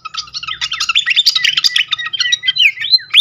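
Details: Srikatan kipas (fantail) used as a lure to set birds singing: dense, rapid chatter of high chirps and short whistled slurs, many notes per second, rising sweeps near the end, with a faint low hum beneath.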